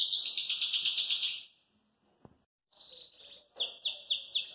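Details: A caged Belgian canary, singing cheerfully and hopping in its cage, gives a loud, buzzy high trill, pauses briefly, then resumes with a steady whistled note and quick repeated downward-sliding phrases.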